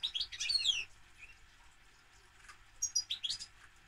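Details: European goldfinch singing a bubbly, rapid twitter with slurred falling whistles, then after a quiet gap a second run of quick, high, tinkling notes.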